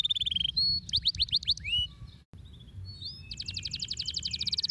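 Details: Singing canary to encourage lazy birds to sing: a fast trill, then looping whistled sweeps, a short silent gap, and a steady rapid rolling trill to the end, with faint low hum beneath.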